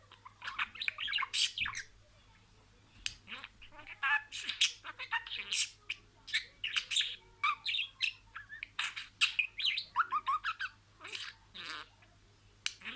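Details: Talking pet budgerigar reciting words in order: long run of fast, high, clicky and buzzy syllables in repeated bursts, steady chatter with short pauses and a low background hum.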